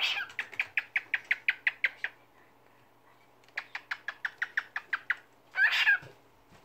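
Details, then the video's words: Cockatiel, a pet talking and singing parrot, sings quick strings of bright, even whistled notes, about six a second in two bursts, ending in a harsh rasping squawk. "Şarkı söyleyen papağan , Sultan Papağan konuşması"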